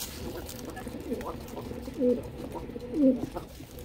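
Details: Pigeons being fed, giving low soft cooing notes, two clearer coos near two and three seconds, amid a murmur of background noise and faint voices.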